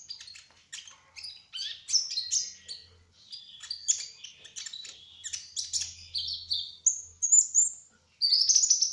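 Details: Brown-throated sunbird, known locally as kolibri ninja trotol, in rolling gacor song: a dense, fast jumble of high chips and twittering slurs, ending in a louder, longer whistled phrase after a short pause.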